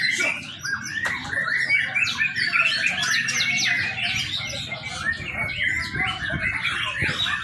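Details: Young White-rumped shama, a training lure recording: a busy cascade of sweet whistles, short chips and trilled phrases that runs nonstop, with light background rumble.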